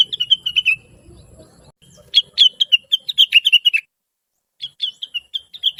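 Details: Cucak wilis, the blue-winged leafbird, giving a chatty tutor song for trucukan and other birds. Clean, bright rapid chirps in three bursts separated by near-silent gaps.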